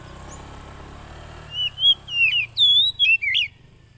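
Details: Lure song of an Oriental magpie-robin, recorded 30 July 2022 in East Lampung, Indonesia, to stir silent, stressed wild-caught caged birds: after a quiet start, a rapid run of varied whistles, swooping up and down and broken by short clicks.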